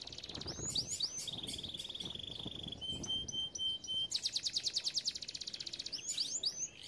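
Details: Canary song for training young canaries: rapid repeated trills, a long even rattle near 3.5k, fast pulsed chatter and sweeping whistled notes, with a faint background hiss.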